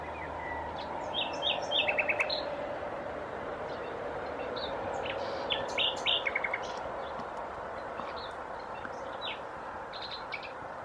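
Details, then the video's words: Cirl bunting (Emberiza cirlus) in Croatia singing short, dry rattles of repeated identical notes, two bursts about four seconds apart. Scattered high chirps from other birds sound behind a steady low hum. "Crnogrla strnadica , Emberiza cirlus , Cirl buting"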